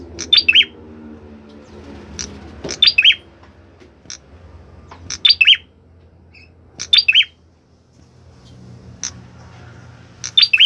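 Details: A prinia singing actively gives short bursts of sharp, high chirping notes, each about half a second long and repeated every two seconds or so over a faint low hum.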